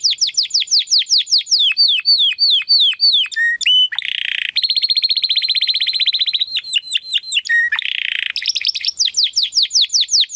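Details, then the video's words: Male Timbrado Español canary of 2020 breed giving a training song, a long varied phrase of descending slurred notes, short flat whistles, low dropped notes and two extended rattling buzzy trills, with quick chirps closing the phrase. "Your Canary will sing immediately - meet Mr. Six ! - Canary 's Training Song"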